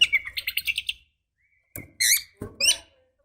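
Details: Female Oriental magpie-robin provoking males: a quick run of about seven rhythmic chirps, then a pause and a few louder buzzy, warbling notes.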